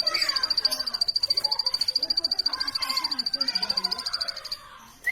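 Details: Plain prinia chirping in a fast, steady series of sharp high clicks at a single pitch for about four seconds, then stopping, with low murmuring sounds in the background.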